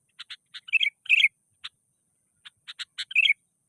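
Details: Sooty-headed bulbul, agitated and challenging a rival: short dry clicking chirps in pairs and small groups, broken by louder bubbly chattering bursts, against a silent background.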